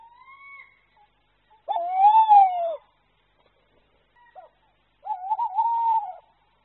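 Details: Courting Tawny Owl pair before the breeding season, the male hooting softly from a nest entrance to entice the female: two drawn-out, wavering hoots about three seconds apart, each about a second, with a fainter note first.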